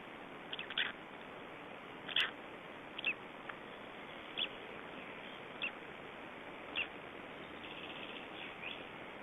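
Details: Three-day-old Black Stork chicks in Estonia, 2012: faint, short, scratchy peeps spaced roughly every second over a steady hiss, with one sharp click near the start.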